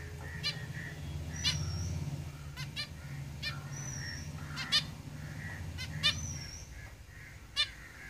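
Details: Caged zebra finches singing: scattered nasal, buzzy honks, about eight over eight seconds, mixed with short thin high whistles and soft chatter over a steady low hum.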